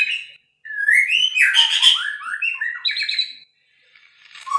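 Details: Song of a white-rumped shama, a flowing run of slurred whistles climbing and falling, with a brief harsh, buzzy burst in the middle and a fading phrase at the end.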